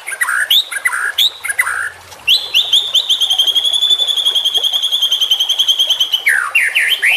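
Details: Young white-rumped shama singing as a training track; opens with varied buzzy whistles, then a long fast series of repeated ticking notes at steady pitch for about four seconds, ending in rising slurred whistles.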